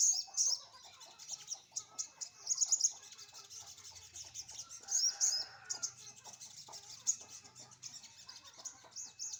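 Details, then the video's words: Sunbird sunning in the morning, likely kept caged; fast high-pitched chattering song broken by bright squeaky bursts every two to three seconds. "jemur pagi burung sogon"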